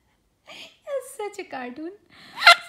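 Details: A year-and-a-half-old pet severe macaw mimics a laugh and calls out the name of a sun conure it lives with, in short voice-like syllables, breathy and gasping with wavering pitch, ending in a harsh screech; indoors, no other sounds.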